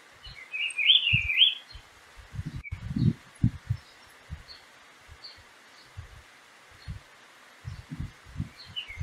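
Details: Wild green-winged saltator in Prados, Minas Gerais, Brazil, drawn in by playback of its usual song, gives one short, rich, warbled whistled phrase early on, then faint notes, over steady hiss and low thumps of wind or handling.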